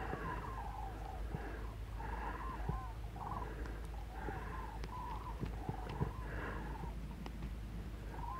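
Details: A flock of common cranes, the last of many passing north that afternoon on 21 February over Pinto and Getafe, Parque Natural del Sureste, gives loud rolling trumpeting bugles overlapping about once a second over distant traffic rumble.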